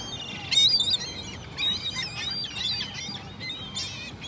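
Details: Many gulls call at once, a tangle of thin, wavering squeals and yelps at moderate loudness, with no clear gaps between birds.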